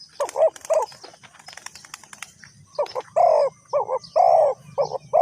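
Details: Decoy-trapping recording of a Spotted dove, Ninh Thuận: two coos, a burst of rustling clatter like flapping, then a quick series of rolling, slightly burry coos.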